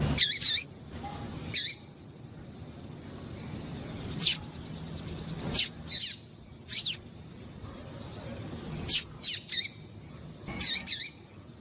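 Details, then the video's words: A female double-collared seedeater calls a lot to stimulate a cold male into singing. Thin high chirps and buzzy twitters come irregularly, often in quick pairs or triplets, about forty-four a minute, over a soft low hum. "fêmea de coleiro piando e chamando muito para esquentar coleiro frio"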